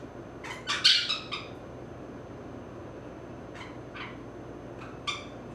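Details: Pet female grey-cheeked parakeet, 16 years old, adopted and still shy of hands, enjoying a long, rough back scratch indoors; a cluster of harsh, scratchy squawks early on, then a few isolated sharp notes over a hissy background.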